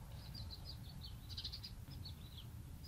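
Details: Young house sparrow in an old palm-tree nest near a home, hoping its mother will return: a steady string of faint, high, clipped chirps over constant low outdoor rumble.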